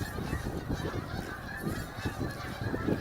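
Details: Geese by the hundreds leaving Heron Lake during a snow storm, recorded by a snow removal crew: a short burst of massed honking, blurred together over strong low-pitched rumble.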